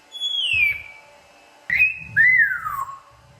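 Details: A pet African grey parrot, female, that imitates words and sounds, whistles indoors: a long descending whistle, a pause, then a short rising note and a falling slurred whistle, with faint low background noise.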